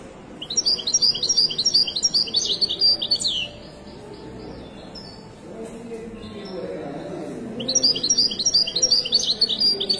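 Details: Moroccan widani-style European goldfinch singing at the Souk Lqriaa bird market in Casablanca: two bursts of fast, bright, high twittering and tinkling notes, the first lasting about three seconds, separated by a pause, over a low murmur of market crowd and voices.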